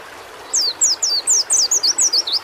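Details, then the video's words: Singing white-eye, recorded for therapy audio to get birds singing: a string of about a dozen high, sweet, downward-sliding whistles, spaced unevenly and quickening slightly toward the close. "terapi menaikan mental fighter burung pleci"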